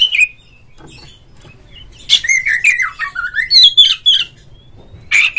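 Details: Oriental magpie-robin (kacer), a kept cage bird, in a lure recording meant to provoke a rival into singing and fanning its tail: loud whistled phrases sliding between high and middle pitch, separated by quiet gaps.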